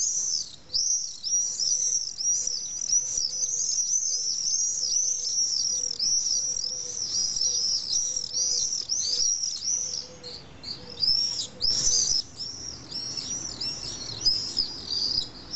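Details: Common swifts from a colony of about twenty pairs nesting in weepholes of a retaining wall in Nice, France, give shrill, high screams in rapid overlapping bursts, almost continuous, with a faint lower hum beneath.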